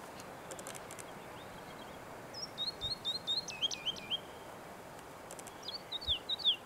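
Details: A woodlark at Børsmose Hede on 30 March 2019 gives two bursts of quick, liquid, high notes, each a rapid run of five or six. A steady rush of wind and a few faint clicks sit beneath.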